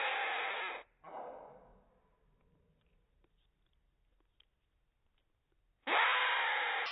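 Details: Hand-raised rainbow lorikeet chick being fed by a five-year-old adult female acting as its foster mother. Short harsh screech, then a longer rasping one that fades, a long quiet pause, and another loud grating burst at the end.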